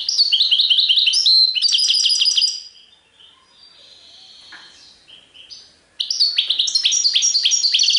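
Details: European goldfinch song in the Serfati Tiwawati style. Fast, liquid twittering phrases of short rising and falling notes open the passage, a quiet gap follows, then the tinkling chatter resumes.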